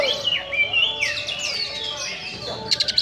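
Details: Oriental magpie-robin (kacer) giving a harsh song meant to stir up emotion: rich whistled phrases sliding between mid and high pitch, fast twittering notes and a closing burst of sharp, rapid clicks.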